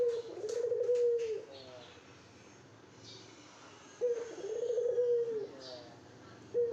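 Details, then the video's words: A vocal male dove courting a female, kept indoors in a small room: a long, low rolling coo, slightly wavering, given about every four seconds, with faint background chatter between phrases. "Burung Puter Gacor merayu betina"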